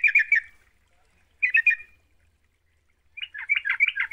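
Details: Yellow-vented bulbul; song; lure to stimulate a caged bird to sing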